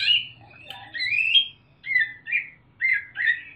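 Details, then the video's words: Sumatran leafbird, a young caged bird just past the speckled juvenile stage, singing loud and clear with mimicked parrot and bulbul phrases: slurred whistled notes and short warbled bursts in separate phrases. "Cucak Ijo Sumatera Ngriwik Isian NURI & NAMDUR | Burung Daun Ngriwik Kenceng"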